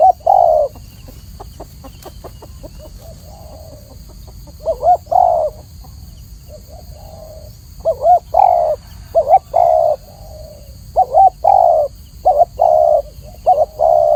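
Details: Spotted dove singing clearly in a training recording. Quiet clicking and faint cooing open the clip, then a run of rapid low coos, short quavers alternating with longer hoots.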